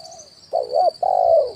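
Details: Single phrase of a spotted dove decoy call, kuk 1 type, meant to lure wild birds: a faint lead note, then a quavering coo followed by a long smooth coo, with a steady high hum.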